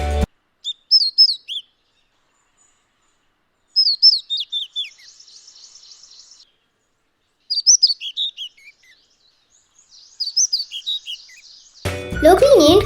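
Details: Kashmir Flycatcher (Ficedula subrubra), a winter visitor to Sri Lanka's high hills, calls with short, high, sweet warbled phrases in bursts a few seconds apart, ending with a brief burst of music.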